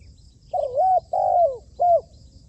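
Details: Spotted dove kept as a decoy for trapping, being trained, utters a three-part cooing phrase: a dipping then rising note, a long falling note, and a brief downslurred coo, over faint low hum.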